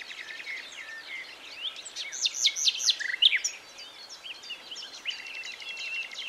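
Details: A common nightingale sings in early morning sunshine at La Brenne, France, on 22 April: a rich, varied phrase of rapid whistles and sharp chirps, loudest in the middle, over a chorus of other distant songbirds.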